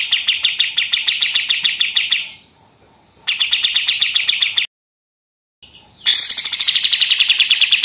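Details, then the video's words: Pied triller delivering a rapid 'machine-gun' song for songbird tutoring: bursts of fast, evenly spaced high chips, broken by pauses and a silent gap, then a new phrase opening with a loud descending whistle into rattling notes. "kapas tembak gacor senapan mesin"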